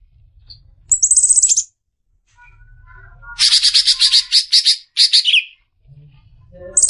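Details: Caged greater green leafbird, used to train other songbirds, giving a short high trill, then rapid repeated harsh notes and a falling whistled slur, with quiet gaps between phrases.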